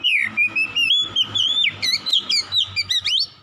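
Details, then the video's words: Oriental magpie-robin lure song for prompting reluctant birds to sing: continuous bright whistled phrases wavering up and down, broken into quick separate notes and ending on a sharp rising sweep, over a steady low hum. "PANCINGAN SANGAT AMPUH MEMULIHKAN KACER MALAS BUNYI CEPAT GACOR"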